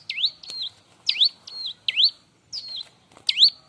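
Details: Bar-winged prinia singing loudly as a tutor for other birds: clear V-shaped sweeping chirps each followed by a level whistled note, repeated roughly every half second in a clean recording.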